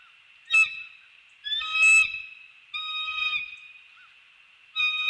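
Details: Mated pair of wild bald eagles at their treetop nest in The Hamlet, early morning, 15 December 2019, on a nest cam as the male arrives to greet the female before mating: loud, high, harmonic squealing notes with a wavering edge, given in four separate bursts.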